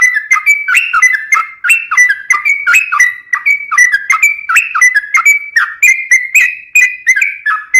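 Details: Lively Sooty-headed bulbul singing nonstop: jumbled, overlapping whistled notes that rise and fall, about three phrases a second, clear and loud with no other sounds.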